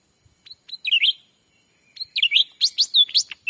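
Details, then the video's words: Black-capped bulbul call used to lure wild birds into a Sumatran forest: two bursts of sharp, twisting chirps that sweep up and down, the second a rapid run of about eight notes, with quiet gaps between. "suara asli pikat cucak ranting"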